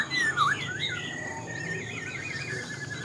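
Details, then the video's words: Wild-caught Black-throated laughingthrush kept in a cage sings a few clear whistled notes, a dipping slur, then a wavering trill-like whistle, over a low background hum. "Khướu bạc má mộc dở chim già rừng, hót tốt giọng hay"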